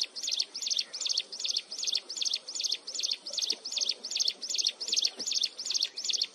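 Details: Shrill, unbroken song of a mountain wren heard up close: a long, very even run of sharp, high chirping notes, about two and a half per second, each note a quick up-and-down sweep, with soft background noise.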